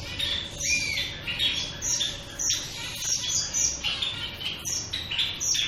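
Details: Several shaft-tailed finches calling almost continuously, high-pitched and overlapping. Short nasal notes and brief whistles crowd together with hardly a pause, over a steady low background hum.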